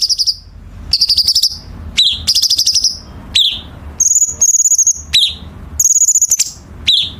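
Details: Chinese bulbul, harsh tight fill song for training contest birds: short rattling trills alternate with sharp falling chips and high buzzy whistles, phrases about half a second long separated by brief pauses.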